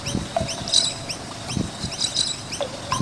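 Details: Noisy miners around a skate park, giving quick upward-sweeping high chirps, several overlapping, with low thumps and rattles in the background.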